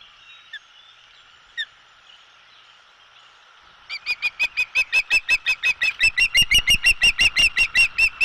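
Osprey giving a fast run of sharp, high whistled chirps, about three a second and growing louder, after a few quieter opening notes.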